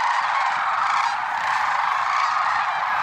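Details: Lesser sandhill cranes at Merced National Wildlife Refuge, February 6, 2023, in the early morning; countless overlapping loud, rolling calls blend into one steady, unbroken chorus.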